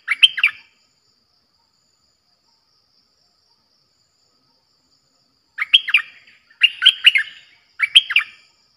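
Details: Lure recording of a Streak-eared bulbul, played to attract fierce wild birds: short clusters of sharp chattering chirps, one burst at the start, then three bursts close together after a long silence.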